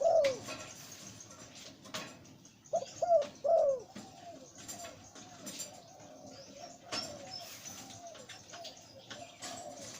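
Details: Zebra dove breeding male with a deep voice, of the หลิ่วตัน type. A loud rolling coo opens, then a phrase of three clipped notes and a drawn one, then quieter cooing continues behind.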